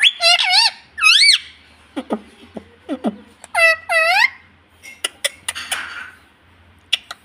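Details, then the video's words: Talking pet ring-necked parakeet in India saying "mummy": repeated high, curving harmonic squeals in pairs, short clicks and chirps between them, and a steady low hum in the room. "Mummy Papa Bolne Vala Parrot 🦜 Talking mummy papa in India parrot 🦜"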